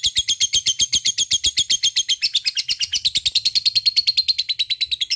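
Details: Lovebird giving a long ngekek chatter, used to stimulate lazy lovebirds to sing; a fast, even stream of high, harsh chirps, about seven or eight per second, sliding into a steadier ringing tone toward the end.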